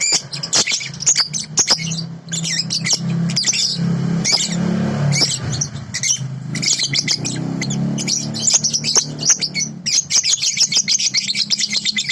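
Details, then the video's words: Sooty-headed bulbul, from an original song recording: continuous high chatter and twitters over a steady low engine-like rumble, ending in a fast trill of sharp notes. "masteran balibu//suara asli jernih"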